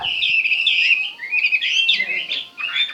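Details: Chinese hwamei in dense, loud song: overlapping bright whistles and slurred warbles pouring out almost nonstop, with two short dips in volume.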